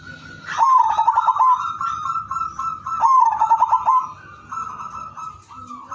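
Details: Zebra dove, kept as a lure singer to prompt other doves to sing, gives two mellow cooing phrases. Each opens with a quick stuttering run of soft notes and ends in a drawn-out coo, over a steady hum of other fainter doves.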